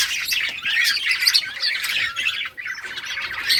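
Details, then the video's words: Budgerigars in summer breeding season calling while playing: rapid, uneven chatter of harsh squawky chirps and warbles from several birds at once. "budgies beautiful colors playing and chirping budgies breeding progress in summer"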